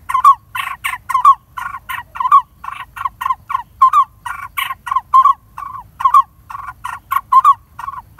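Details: Lineated barbets at their nest in a dead durian tree hollow while feeding young; harsh, throaty notes repeated irregularly at about two to three per second, with rough, noisy edges.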